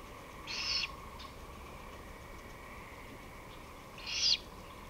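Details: Recorded 23 May 2018 at 5:53 pm, a great horned owl utters a pair of harsh, breathy screeches separated by three and a half seconds, the second louder, against a low continuous hum.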